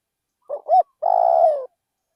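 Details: One song phrase from a decoy spotted dove in a rice field: a soft short hoot, a slightly louder rising hoot, then a sustained, buzzy coo that falls at the end.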